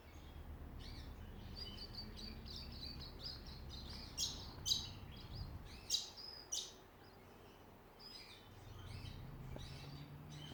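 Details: Songbirds in a suburban backyard at Ballajura, Western Australia, repeat quick high chirps and twitters, punctuated by several sharp, loud, clipped notes midway, then softer scattered chirping over faint low background noise.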